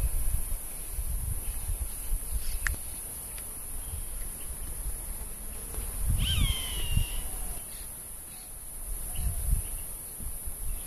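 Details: Roadside hawk defending its territory at this time of year, announcing its presence by voice and flight, filmed with a Samsung NX1000 camera. One high, drawn-out scream falls then levels off, midway through. Strong wind rumble throughout.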